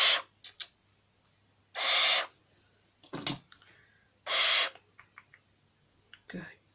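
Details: Tame barn owl, grumpy about being tickled, gives two long, loud breathy hisses between short clicking and snapping sounds, with brief bits of a person's voice.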